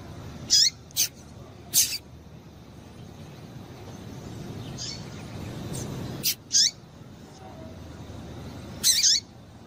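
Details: Female double-collared seedeater calling to stimulate male song: a rapid cluster of three high chirps, then a pair of notes and a final chirp after pauses, over background hiss.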